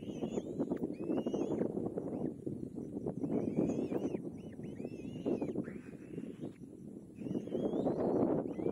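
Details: Young kite fed by its mother, calling as it struggles to swallow a final meal: thin high whistles that arch up and slur down, repeated roughly every second, over a steady low rumbling, rustling background.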